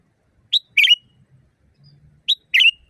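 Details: Loud, natural sooty-headed bulbul song for training caged birds. Two phrases about 1.8 seconds apart, each a short bright note leading into a fuller buzzy note with a drawn-out, falling tail.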